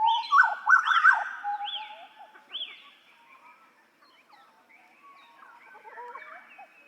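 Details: Papuan Hooded butcherbird singing on a master recording for songbird training: loud mellow whistles with rising and falling slurs, a run of repeated arched high notes, then quieter mixed warbles and twitters.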